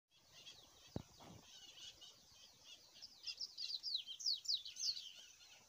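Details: Coleirinho (double-collared seedeater) singing its wild 'mateiro' song in nature: a faint start, then rapid high twittering with quick slurred and down-slurred notes strengthening over the last half, plus a sharp low thump near the first second.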